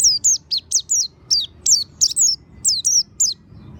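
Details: Lure song of an oriental white-eye, played to coax a bird into singing: quick high squeaky notes, each dipping downward, delivered in short rhythmic runs with tiny gaps, over a quiet background rumble.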